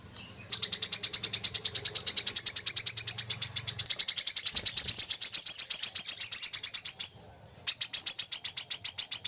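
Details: Brown-throated sunbird, kolibri kelapa, singing to stimulate captive birds: a long, even, very rapid trill of high sharp notes, broken once by a short silence before resuming.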